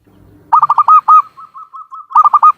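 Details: Zebra dove of the local Javan type, Cilacap, Central Java: a low murmur, then a burst of rapid staccato coos, a long string of soft even notes, and another quick staccato burst.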